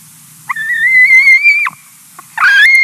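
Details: In Latvia in 2020, a hungry white-tailed eagle chick begs as its mother finishes a fish: a long, clear, whistled squeal rising slightly and held for over a second, then a harsher rising squeal.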